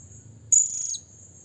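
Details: Blue-crowned hanging parrot calling a rival: a single shrill, very high burst lasting about half a second, standing out over a faint steady high-pitched hum and low background rumble.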